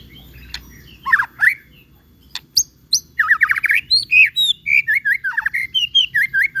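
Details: White-rumped shama song used as a lure to draw a response from other shamas: a brief whistle, then a run of rich, varied whistled phrases, quick slurred notes rising and falling, delivered in fast succession.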